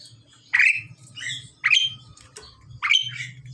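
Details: A pied myna pair, male and female, being paired: three loud, rasping squawks about a second apart, each with brief scratchy notes, over a low background hum.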